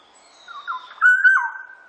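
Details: Short Black-naped oriole phrase: soft slurred whistles building into a loud, clear, sustained fluty note that falls away at the end.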